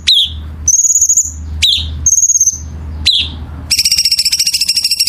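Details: Songbird for masteran training: falling chips alternate with high thin whistles, ending in an extended fast, pulsing, buzzy trill, over a low hum.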